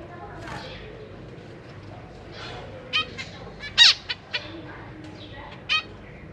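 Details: Captive zebra finches, a breeding pair with juveniles and freshly fledged chicks being fed, May 2023: a scatter of brief nasal call notes, a louder sharp one in the middle, others short and soft.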